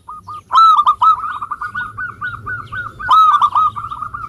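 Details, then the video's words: Local zebra dove singing strongly as a lure for reluctant singers: two loud rolling coo phrases, each trailing into long, steady chains of short hooked notes repeated several times a second. "Perkutut Lokal Gacor Suara Ampuh Mengundang Cepat Agar Bunyi _ Cocok Untuk Pancingan Malas Bunyi"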